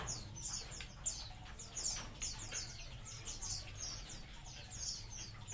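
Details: Many munias in a colony chirp continuously, giving rapid high-pitched descending notes that overlap one another, with occasional soft rustles beneath and constant low hum in the background.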